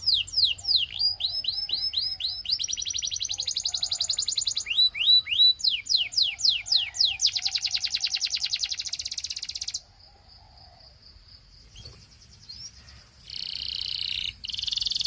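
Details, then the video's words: Belgian canary singing to make other canaries sing: downslurred whistles, fast rolling trills and rising notes for ten seconds, then a soft steady tone and buzzy trills at the end. "Doesn't Your Canary Sing? Put This On, HE Will Sing a Lot‼️ Belgian Canary"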